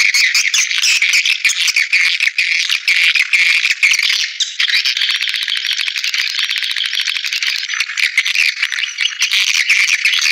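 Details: Swiftlet attraction calls for bird houses: a steady, unbroken wall of chattering and ticking chirps, as of a crowd of birds, with fast pulsed clicks throughout.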